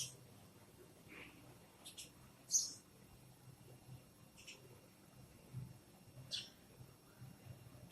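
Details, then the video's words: A sparrow gives five or six brief, high, sharp chirps at irregular intervals, one of them louder than the rest, over a quiet low hum. "SPARROW Making Different Noises"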